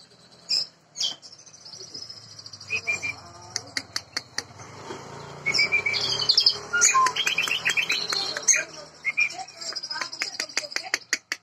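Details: Prize-winning Jambu bird, first place in Bima, native to West Nusa Tenggara, in full song: scattered high chirps and sharp clicks, then a long tumbling stretch of rapid, varied warbles and trills, with sharp clicking sounds throughout.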